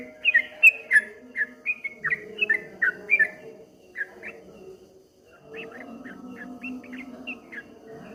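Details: Streak-eared bulbul singing 'ropel ngombak banyu': a lively string of rapid whistles for about four seconds, then softer, more scattered notes over a rising murmur of background noise.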